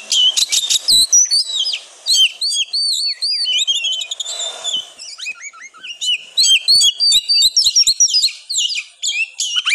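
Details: Oriental magpie-robin singing hard and nonstop, a song used to rouse lazy magpie-robins: dense, varied high whistles, rising and falling slurs, and scratchy trills, delivered almost without pause for ten seconds.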